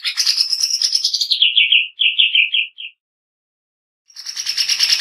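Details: Harsh 'nembak kasar' song of a greater green leafbird, used as a training recording: a high buzzy rattle, then quick descending chirps in short bursts, two seconds of silence, and a fresh harsh rattle.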